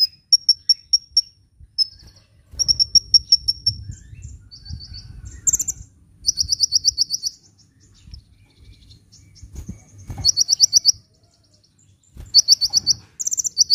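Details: Sunbird singing vigorously, a recording meant for luring birds and prompting reluctant birds to sing: bursts of high, sharp chirps and rapid ringing trills, separated by short pauses with faint low background rumble.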